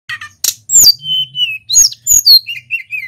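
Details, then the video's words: Mountain white-eye, a local male from Pacitan, delivering gacor song: a dense scratchy burst, then clear drawn-out whistles slurring downward and short rising notes, with a faint low hum underneath. "BURUNG SULINGAN GUNUNG FULL GACOR"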